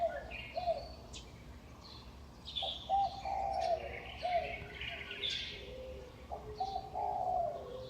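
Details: Dawn chorus at about 5:25 am in May 2019, birds perched on utility poles in Huanan New Village, Taipei, Taiwan: hollow mid-pitched coos in short runs, with scattered bright chirping and faint twittering from other birds.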